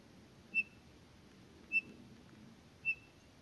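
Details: Townsend's solitaires at Elena Gallegos: single pure, high whistled notes, each brief and clean, repeated about once every 1.2 seconds, in a quiet setting with faint low background hum.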